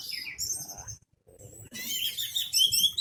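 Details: Orange-headed thrush singing with its tail opened, as a lure that gets other birds singing: high whistled notes, a silent gap, then a burst of dense rapid twittering and trills.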